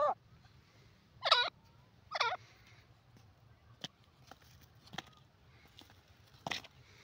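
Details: Grey francolin from India, known locally as teetar: a few loud harsh ringing notes in short bursts about a second apart, with faint clicks and a low rural hum between them.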